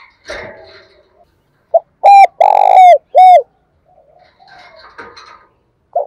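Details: Close, very loud cooing from a decoy spotted dove calling in wild doves. Ringing, hooked two-part coos with a long middle note are bracketed by rustling or handling noise at the start and end.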